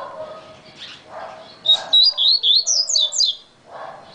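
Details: Yellow-bellied seedeater, described as a very fast singer: one quick burst of bright, slurred whistled notes rising and falling, about eight notes in under two seconds, after soft lower murmuring sounds in the background.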